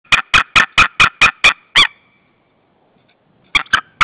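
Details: Female white-tailed eagle at her nest in Saunja, Estonia, 26 March 2013 at 16:45, calling for her mate, who does not come: a rapid run of eight loud, harsh yelping notes, a pause, then three more.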